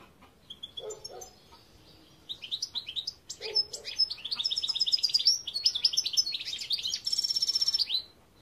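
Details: European goldfinch singing a lively, varied song: scattered twittering notes, then a dense run of rapid high chirps and liquid trills ending in a fast buzzy rattle, with quieter low notes early on.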